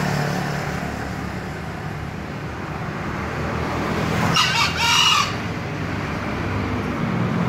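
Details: Green junglefowl giving one crow midway, a rough two-part burst of about a second, softer against persistent low engine-like rumble.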